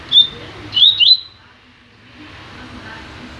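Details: Double-collared seedeater kept in a new cage gives one clear high whistle, then a pair of quick sharp whistled notes. Soft background hiss follows.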